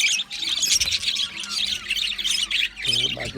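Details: Australian budgies keeping up rapid high squawks and chirps in dense overlapping chatter, with a short human voice joining near the end.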